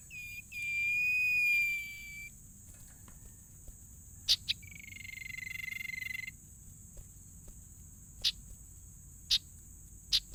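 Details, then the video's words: Sirtu bird, known as a tailorbird, in lively song: two long level whistled notes, each lasting about two seconds, followed by scattered sharp clicks and ticks, with a steady high insect-like hiss throughout. "burung sirtu gacor"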